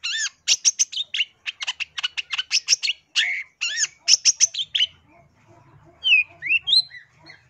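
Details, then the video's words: Clear long-tailed shrike song meant for luring wild birds: rapid rhythmic series of sharp clicking and chattering notes mixed with whistles, then after a brief pause a few sweeping, rising whistled phrases over a faint low hum. "SUARA BURUNG CENDET JERNIH COCOK UNTUK PIKAT / PANCINGAN"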